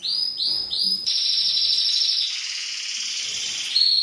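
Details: Male canary singing to prompt a female to mate: three swooping high notes, then a long, dense, high trill that holds steady before ending on a clear whistled note.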